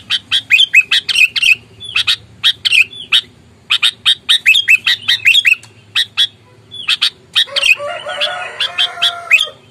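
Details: Sooty-headed bulbul in aggressive fighting mode, used to lure rivals: dense, rapid harsh chattering with slurred notes in repeated bursts, ending with a lower wavering squeal under the calls.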